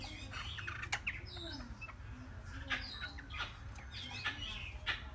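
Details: Chinese hwamei, a three-month-old bird, singing in short bursts of sharp chirps and quick slurred notes, some rising, over a steady low mechanical hum.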